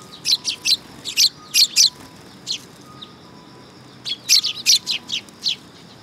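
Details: Several sparrows on a perch platform at a Tenmangu shrine, 3 September 2022, calling in close, energetic runs of loud high chirps, two dense bursts separated by a near-silent gap.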